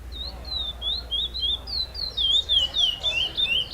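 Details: Chestnut-bellied seed finch singing the repetition-style song that won first place at a FEBRAPS competition stage: bright whistled notes delivered several per second, starting sparse and becoming a denser, louder run of swooping slurs.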